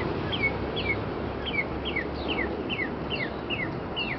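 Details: Wild bird singing close by early on an April morning in 2011 on a neighborhood street in Arlington, Virginia: clear, down-slurred whistled notes repeated about twice a second over a steady hum of traffic.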